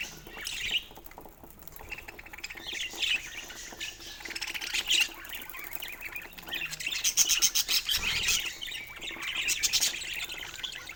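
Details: Pet budgies at play with a bird toy give rapid, overlapping squawks and buzzy warbled chirps, fairly continuous, with rattling and fluttering sounds mixed in near the end.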